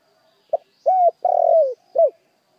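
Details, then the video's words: A single spotted dove lure phrase: a brief note, an arched coo, a long vibrating coo drifting down, and a final rounded coo. "tiếng chim cu gáy mồi chuẩn cực hay kích bổi"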